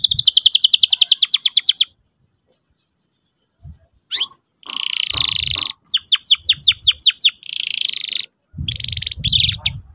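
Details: Canary lure song for training a young canary to sing: fast repeated chirped trills, sharp rising notes and buzzy rattling phrases with brief pauses, loud and high-pitched throughout.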